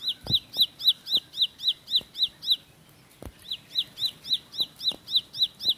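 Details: Bar-winged prinia, called ciblek sawah or ciblek pari, singing a fast 'tembakan roll speed' song: high rising chip notes repeated about four times a second in a steady series, briefly pausing midway, with faint low knocks beneath.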